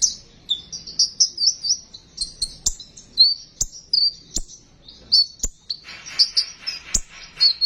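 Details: Sunbird singing in besetan style, a lure recording to stimulate sunbirds to sing: quick high twittering phrases of sliding whistles, punctuated by sharp clicks, becoming dense and buzzy near the end.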